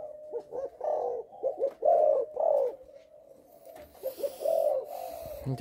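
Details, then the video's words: Young spotted dove of Malaysian lineage giving a stuttering coo with three opening notes: low, mellow cooing notes in uneven bursts, some clipped and some drawn out, a quieter stretch, then more coos and a brief noise at the end. "gù cà lăm 3 tiếng đầu"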